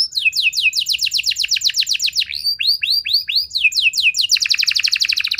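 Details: Singing canary, a recording meant to trigger other canaries into long answering song. Repeated sweeping whistles descend in pitch, then a few hooked notes, closing with a dense rapid buzzy trill.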